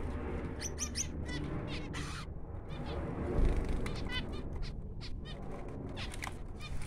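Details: Newborn finches giving faint, high, raspy chirps in uneven quick runs, mixed with rustling and a low background rumble.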